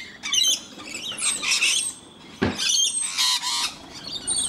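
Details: Feeding time for rainbow lorikeets in Brisbane, Australia, with one scaly-breasted lorikeet present: loud, grating squeals and screeches from several birds, broken by a single dull thump midway.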